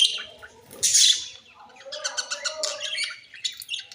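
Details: Budgerigar; squawks and chatter; aggression between quarrelling birds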